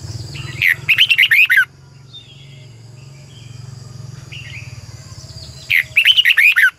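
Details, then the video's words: Red-whiskered bulbul decoy bird singing a morning training song in the 'double voice' style. Two bursts of rapid, loud, warbled whistles, each about a second long, separated by a quiet gap with a low background hum. "Luyện chào mào hót sáng 2020 Giọng kép xoắn tít căng, chào mào mồi hót luyện giọng cực hay"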